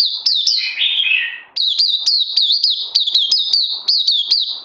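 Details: Kept oriental white-eye singing on 31 May 2020, second day of supplements: opens with a descending, tumbling warble, then switches to a steady run of high, sharp, down-slurred chirps.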